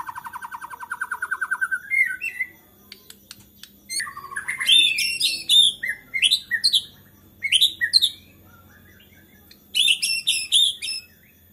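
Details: Agitated white-rumped shama song said to stir other shamas to sing: a fast buzzy rattle trill opens, followed after a pause by loud, varied high whistles and sharp chipping bursts, another burst near the end.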